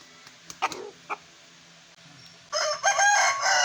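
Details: Aseel roosters: a few short clucks and a soft call, then after a pause a loud, harsh, raspy crow begins and continues to the end.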